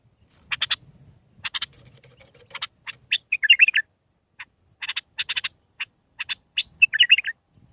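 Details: Bulbul Mandalawi song, six phrases, recorded for training young birds: rapid series of dry ticking notes interspersed with two rich warbled, gurgling phrases, and a soft low hum underneath at the start.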